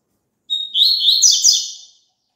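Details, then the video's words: Double-collared seedeater singing, a recording for caged birds to sing along with. A short pure whistle is followed by a buzzy, rapid, chattering phrase that fades out after about one and a half seconds, in silence. "COLOCA ESSE CANTO PARA SEU PAPACAPIM CANTAR JUNTO"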